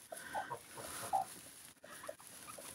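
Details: In Siberia on a sunny, thawing day after fresh snow, broody hens just given about 14 eggs to sit on give soft, short clucks, a few scattered low notes over a quiet background hiss.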